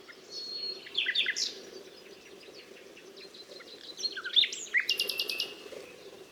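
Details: ['Nightingale song in two bursts. First a tangle of varied whistles and slurs, then after a pause sharp notes leading into a fast, even series of repeated notes.']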